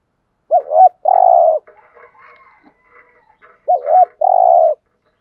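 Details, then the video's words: Spotted dove in giọng thổ voice, cooing thúc gù style: two low phrases, each a quick double note then a long droning coo, with faint rustling between them. "cu gáy thúc gù"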